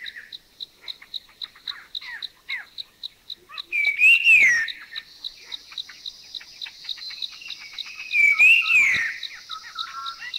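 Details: Two loud three-tone whistles from a Thai puff-throated babbler, about four seconds apart, each rising then falling, with faint chuckling notes of the species in between and a regular high insect pulse underneath.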